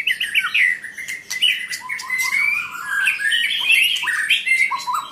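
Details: A white-rumped shama (Copsychus malabaricus) pours out a rich, fast medley of clear whistles, slurred notes and harsher chatters, with the phrases shifting constantly in pitch.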